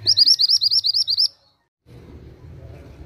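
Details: Oriental magpie-robin singing actively: a rapid run of about eleven high, upslurred notes at an even pace, stopping abruptly after just over a second, followed by a brief silence and then a low background rumble.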